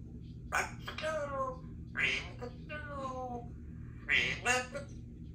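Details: A 3-year-old female Congo African grey parrot, a pet at home, talks in short, nasal, speech-like phrases with breathy hisses between them, about three bursts over five seconds; a low room hum runs underneath.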